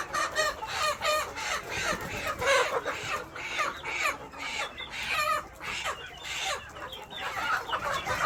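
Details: A flock of KUB village chickens raised in Aceh Besar fills the air with busy, rapid high-pitched cheeping and clucking in surging waves, some calls louder and sharper than others.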